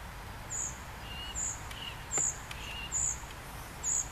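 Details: Common cuckoo chick fed by its great reed warbler foster parent: short, high-pitched sibilant begging calls every 0.8 seconds, with faint lower tones between and a few sharp clicks.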